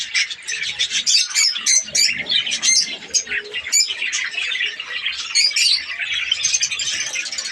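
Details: Captive budgerigars in a Pakistani breeding colony give quick sharp squawks and clicking chirps over a steady high warble, many birds calling at once in uneven bursts.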